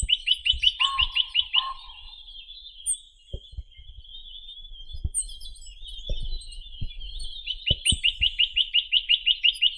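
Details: Chinese nuthatch (Sitta villosa) song: fast, even trills of high, clipped notes, about a dozen per burst, with a thin buzzy tone between the trills.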